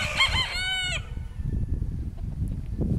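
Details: Decorative-breed rooster (Brahma and Pavlov chickens), Altai, February 2016: the last second of a loud, rich crow that bends down at its end, followed by low rumbling and handling noise.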